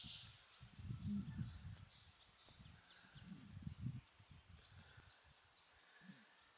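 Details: Male Eurasian bittern at RSPB Lakenheath Fen, recorded from the Mere Hide on 12 May 2019: two deep, low, hollow booms, each lasting about a second with a short gap between, over quiet marsh ambience and faint high bird notes.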